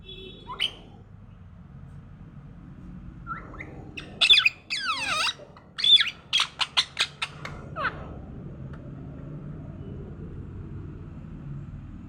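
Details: Morning talking parrot producing a busy sequence: harsh squawks, sweeping rasps and a rapid string of sharp clicking notes, then falling quiet over a low hum.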